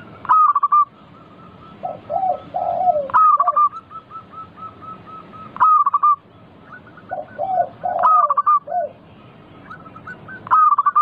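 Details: Zebra dove of a local type, played to coax other doves into singing: sharp rolling coo phrases recur every two and a half seconds or so, while a softer, lower cooing sequence fills the gaps between phrases.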